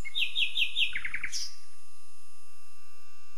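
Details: Common nightingale singing: a quick series of high, clear whistled notes, then a fast dry rattling trill that ends in a rising squeaky note, followed by quiet.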